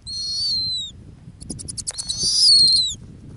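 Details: Female snowy owl at her Arctic ground nest gives two high, thin, downslurred whistling screams, with a burst of rapid ticking between them.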